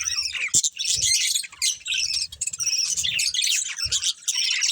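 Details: Budgerigar breeding pair at food, chirping: bright, scratchy warbling in bursts with brief pauses, accompanied by soft low knocks and a few sharp clicks.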